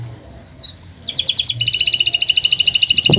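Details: Canary master song for encouraging silent canaries to sing: a few rising whistles lead into a fast even trill of repeated high notes, with a low noise at the very end.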